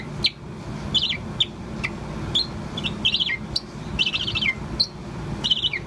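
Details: Poh, a Bourke's parrot about four months old, sings continuously: short, high chirps and twittering phrases, several per second in bursts, over a low hum of passing traffic.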